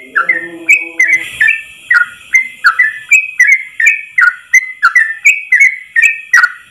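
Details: Yellow-vented bulbul singing a long ropel song for tutoring other bulbuls: repeated bright whistled slurs about every half second, with a brief low humming tone near the start.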